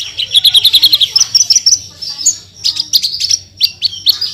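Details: Branjangan, or Horsfield's bush lark, in lively song packed with 'tembakan' bursts: a quick series of bright repeated notes, then slurred whistles and a second cluster of sharp chirps, over a faint low hum.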